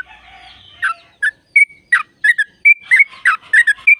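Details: Sooty-headed bulbul, a long-trill song used to stir caged birds into singing; after a soft murmuring start, crisp bubbly notes and short clear whistles follow in a brisk, uneven sequence.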